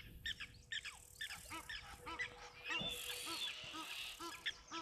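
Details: Egyptian geese at a waterhole on 15 January 2024, agitated, give harsh, nasal honks in quick bursts about twice a second. Stirred-up birds, including blacksmith lapwings, call behind them, with a thin high whistle possibly from an eagle.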